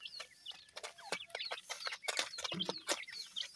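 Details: Grey francolin chicks while feeding: thin, high, downslurred cheeps from several chicks, quick and overlapping, mixed with sharp dry clicks and taps throughout.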